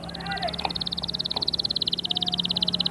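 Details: Canary trill played to stimulate chicks to sing and prepare hens: a steady rapid pulsed roll at even high pitch lasting nearly three seconds, ending in a short falling note.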